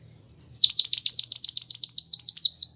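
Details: Kinoi bird singing on a master recording made to train and lure birds. After a short silence comes a steady, rapid run of roughly fourteen high, clipped, downward-sweeping notes, loud and clear, with no other sounds.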